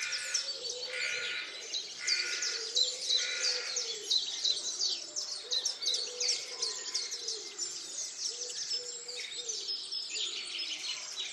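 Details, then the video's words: Dense multi-bird chorus at dawn, recorded by the picnic table at Tophill Low nature reserve's main hide on 30 March 2019. High twittering runs throughout, with repeated mid-pitched phrases and soft low cooing notes underneath. "TopHill Low dawnchorus 30/03/2019"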